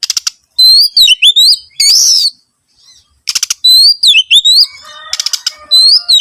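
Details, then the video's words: Lure song of an Oriental magpie-robin, intended to prompt other birds to sing: fluid whistled glides and chattering phrases alternating with harsh buzzy rasps, with a short silence midway. "PANCINGAN SUARA BURUNG KACER"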